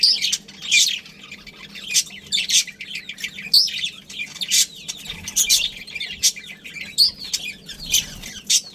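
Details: Budgerigars, a breeding pair kept in a family colony, chattering in bursts of bright, high chirps and buzzy warbles separated by short quieter gaps, with a few clear whistled peaks.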